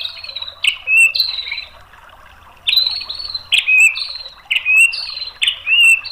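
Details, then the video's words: White-rumped shama training song of loud whistled phrases: each a bright descending slur ending in a clear, sharp whistle, given about once a second after a brief pause. "MASTERAN MURAI BATU biar EMOSI jadi NYAUT GACOR BONGKAR MATERI TEMBAKAN ¦ PANCINGAN MURAI"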